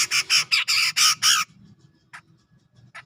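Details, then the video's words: Cucak jenggot, the grey-cheeked bulbul, from Sumatra's forest near Medan: six strong, hoarse, broadband notes delivered in quick succession, then quiet with two brief faint calls. "Cucak Jenggot Gacor Ngepik"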